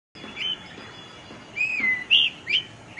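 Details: Oriental magpie robin, the doel of rural Bengal, singing clear whistled phrases. A thin sustained high note is followed by sweeping slurred whistles that rise and fall, delivered in short separate bursts.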